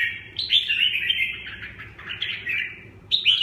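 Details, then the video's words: Continuous chattering warble from a red-whiskered bulbul in 'tiep khach' song, quick slurred notes rising and falling, ending with a sharp upward flourish; steady low hum beneath. "Tiep khach -Kênh về chim Chào mào"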